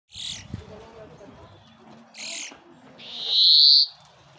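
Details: A singing brambling gives a single drawn-out, buzzy, high wheeze lasting under a second, after two brief hissing rustles.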